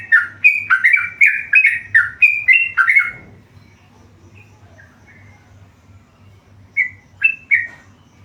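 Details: Tame yellow-vented bulbul delivering a fast burst of liquid whistled notes for three seconds, then near silence, then a few scattered single chirps; a low steady hum runs throughout.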